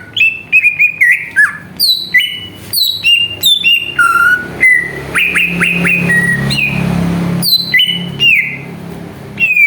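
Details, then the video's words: Lure song of a greater green leafbird, sung to make rival birds sing. Quick, ringing whistled notes come in a rapid chain, each one sliding up or down, with a brief hissing rush midway. "PANCINGAN CUCAK IJO BIAR EMOSI JAMTROK"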